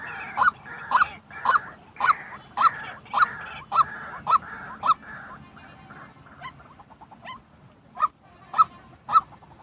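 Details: Repeated harsh 'kwak' calls of a white-breasted waterhen, recorded for training decoy birds for trapping; the calls run fast, fade to softer notes midway, then return loud near the end.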